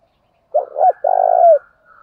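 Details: One full coo phrase from a spotted dove, meant to prompt other doves to coo. Two quick low hoots lead into a long, husky note that slides down at its end. A faint higher tone carries in the background.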